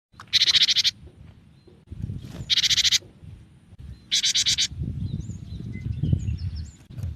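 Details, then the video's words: Cinereous tit giving a song variation called tembakan: three harsh, buzzy rasping bursts about a second apart, over a low rumbling background with faint distant chirps. "suara burung gelatik batu dengan variasi tembakan"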